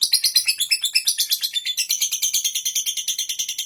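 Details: Lovebird in ngekek style: long, unbroken chattering made of rapid, shrill, squeaky chirps, about three per second. The pulses are steady and the pitch is high and bright.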